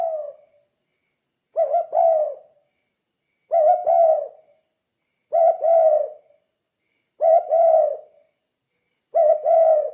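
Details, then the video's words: Spotted dove singing in the 'kuk 2' gacor manner for training other doves. Paired low coos recur about every two seconds, six phrases in a row, each a quick double hoot, against silence. "Suara Burung Tekukur Kuk 2 Gacor Untuk Melatih Tekukur Lain Biar Ikut Gacor"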